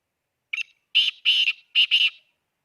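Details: Khushab black francolin giving its grating five-note phrase: a clipped opening note, two drawn-out raspy notes, then a closely linked harsh pair, loud and clear against silence.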